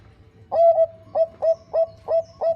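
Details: Bangkok-type zebra dove, described as a female calling the male and used as a lure to set birds singing; a low hollow coo followed by five short, evenly spaced cooing notes, each with a sharp onset, in a quiet setting.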